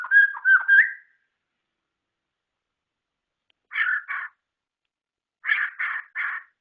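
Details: White-rumped shama, a kept songbird, giving a short burst of slurred whistled notes with quick up-and-down slides, then after a pause two and three harsh raspy notes in quick groups, with silence between.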